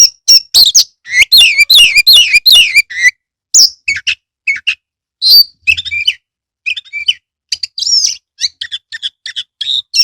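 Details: Oriental magpie-robin kept as a cage bird, singing a loud lure song meant to rouse reluctant birds: a dense opening run of buzzy, rapidly repeated notes, then spaced whistles, chirps and short trills.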